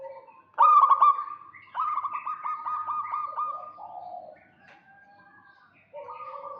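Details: Local Indonesian zebra doves, males and females answering each other, used to lure a rival: loud stuttered coo opening into a long rapid purring trill, then softer overlapping coos from other doves.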